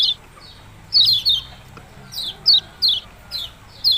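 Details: Yellow-bellied prinia song called "ciak-ciak jos": high, sharp descending chirps, a quick triple burst then single notes about every half second.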